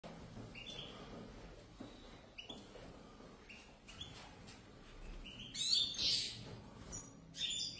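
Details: A pair of European goldfinches giving sparse, brief high chirps and short twittered notes, with a louder buzzy burst near the end over a low background hum.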